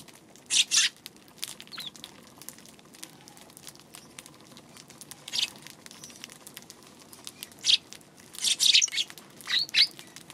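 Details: Eurasian tree sparrow on March 2 gives a double chirp, then sparse single calls, then a quicker burst of harsh chirps toward the end, with faint softer squeaks in between.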